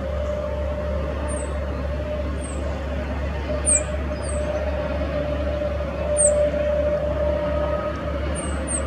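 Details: Rock bunting preening in the Moselle valley near Valwig gives thin, very high, downslurred 'zip' notes, spaced irregularly every second or two, over a steady low engine-like hum.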